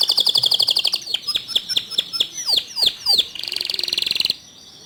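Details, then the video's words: A canary singing to prompt other canaries into song: a rapid rattling trill, then a run of sharp, steeply falling whistled sweeps, and finally a dense buzzy trill that stops abruptly. "Masteran Kicau Kenari Untuk Memancing Kenari Lain Agar Ikut Gacor Dor"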